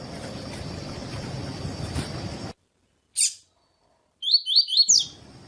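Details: Double-collared seedeater, 'tui tui' song meant to teach and warm up other seedeaters; after a noisy stretch and a silent gap, a short burst of four or five upswept whistles closes the recording.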